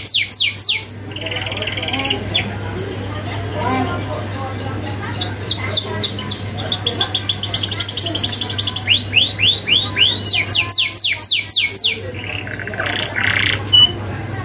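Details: Canary singing hard in a master recording for young birds, sharp rolling style: alternating fast descending note runs, buzzy trills and high rattles, about 220 notes a minute, low hum behind.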